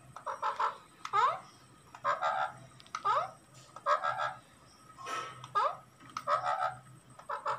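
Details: Lovebird giving harsh, chattering calls in short bursts about once a second. Each burst carries buzzy, rising sweeps and layered harmonic squawks, with a faint steady hum beneath.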